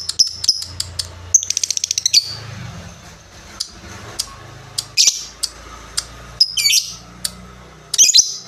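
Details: Lovebird calling in scattered sharp chips, with a quick run of rapid ticks in the middle and a few buzzy squeaks later over a soft low background hum.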